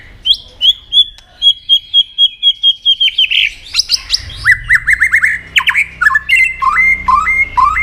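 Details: Competitive song of a white-rumped shama, its tail flicking: a steady series of clear repeated whistles, then fast varied phrases of slurred rising and falling notes, with a low hum underneath.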